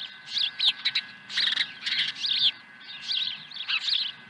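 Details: Osprey at its nest at Dunrovin Ranch on 23 April 2020, swooping in with a second fish; dense bursts of high, sharp chirping calls in quick clusters throughout.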